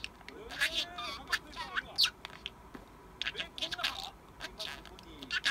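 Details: A pet parakeet mutters while asleep, a drowsy imitation of human speech heard as it keeps saying 'tired' in Japanese; quiet babbling syllables with short sharp squeaks and gliding chirrups.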